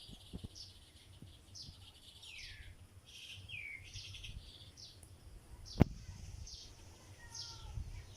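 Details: A sparrow building a nest of palm leaves gives a run of thin, high chirps and quick down-slurred notes, soft and irregular, over a low outdoor rumble with one sharp knock.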